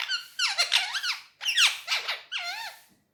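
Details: Pet male Indian ringneck parakeet indoors on a table, talking in Urdu/Hindi: loud, squeaky, speech-like syllables in rapid sweeping bursts, three phrases over about three seconds.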